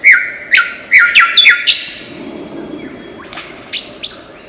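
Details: Mimicking lyrebird of Australian forests producing repeated sharp chirps in quick bursts, a sustained thin whistle, then higher whistled notes near the end; faint background hum.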